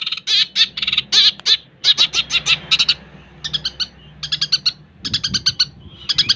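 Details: Long-tailed shrike in energetic song, delivering dense bursts of sharp, clicking and chattering notes in quick succession, grouped into rapid clusters with short gaps between them, over a low background hum.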